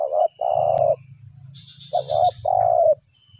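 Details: Spotted dove calling steadily while being lured for trapping at two sites, giving two low cooing phrases, each a short clipped note followed by a longer level coo, over a faint low rumble.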